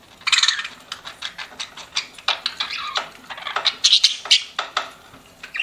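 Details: Pet budgies chattering in quick clicking chirps and short squeaks, a rapid broken series of sharp notes.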